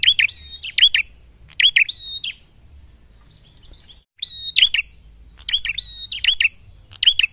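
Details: A prinia, a red-headed prenjak, in full song as if seeking a rival, sings in bursts of sharp, high chirps, two or three bursts in quick succession, then a brief pause before the next run.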